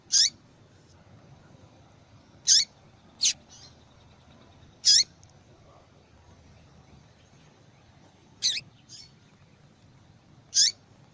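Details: Calling female double-collared seedeater, used to spur song in captive males; six sharp high calls at irregular gaps, some in quick pairs, with a few faint short notes between them over quiet hiss.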